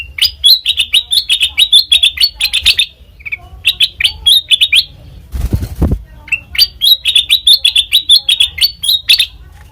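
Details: Black-crested bulbul song for trapping: two long rapid runs of bright, slightly buzzy chirps, separated by a brief burst of rustling noise.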